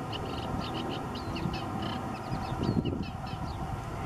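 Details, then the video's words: Eurasian reed warbler singing in Waterland beside the Uitdammerdijk, May 2017, delivering a busy stream of scratchy, repeated high chirps over heavy low-frequency rumble that briefly swells. "Reed Warbler - Kleine Karekiet"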